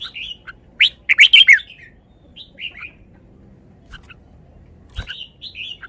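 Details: Red-whiskered bulbul in a cage delivering its song phrases: a short whistle, then a loud tumbling cluster of bright warbled notes, followed by scattered softer whistles and a brief closing phrase.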